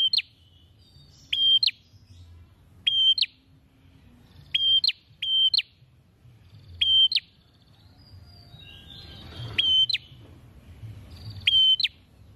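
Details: Bar-winged prinia singing actively with an open beak: a long series of about ten sharp, high chirps, each a flat whistle with a quick upward flick, at uneven intervals of about one to two seconds, over low background hum.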